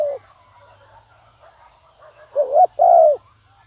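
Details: Decoy spotted dove calling to attract wild doves. Mostly soft background murmur, then one strong two-part coo near the end: a short rising note and a longer, drawn-out hollow coo.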